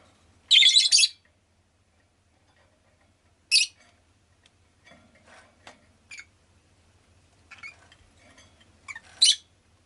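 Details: Pet rosy-faced lovebird making a loud harsh squawk burst, then a short sharp chirp and scattered faint clicks and rustles before a final raspy call, over a quiet low hum.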